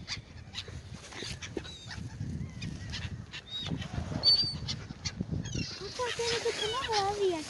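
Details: A group of gulls eating bread on the Oder river, Frankfurt (Oder), Germany; repeated short nasal yelps, several birds together, one drawn-out wavering cry near the end, with background water and wind.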